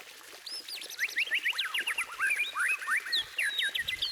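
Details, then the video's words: White-rumped shama song with a dense, rapid string of slurred whistles and chattering notes. It rises and falls continuously for about three seconds without a break. "Kicauan Emas: Masteran Murai Batu untuk Pecinta Burung"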